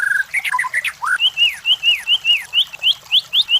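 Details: White-rumped shama song used as a lure to provoke competition birds: an opening of mixed chirps and a low rising note, then a steady run of clear whistled notes that rise sharply and slide down, repeated about every third of a second.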